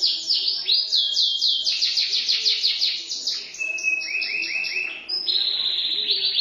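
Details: Canary song of quick downslurred high notes in rolling tours, dropping to a lower chattering series and then a steady high trill near the end.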